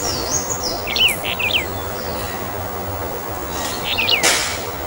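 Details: Brown bullfinch of subspecies uchidae calling twice with short groups of falling whistled notes; a high twittering bird is heard early, with brief loud noise bursts and steady hiss.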